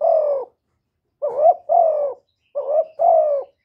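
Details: Spotted dove in its urging and cooing display: a sustained husky coo, then two close pairs of a short bent note leading into a longer, gently falling coo, delivered briskly in near silence.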